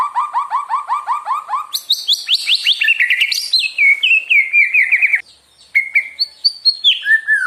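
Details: White-rumped shama (murai batu) in a provoking song to get other birds fired up: about ten repeated upward-curving notes, then a jumble of high chattering whistles, a brief pause, and clear rising and falling whistled phrases.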